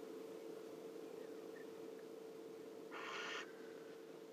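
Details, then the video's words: A barn owl heard from a webcam, a single harsh, hissing screech lasting about half a second, set against a steady electrical hum. "In the beginning you hear a barn owl"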